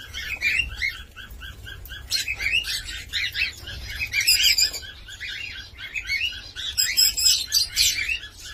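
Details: Cockatiel chattering in quick, repeated chirps about four per second, with some sharper, higher squeaks mixed in.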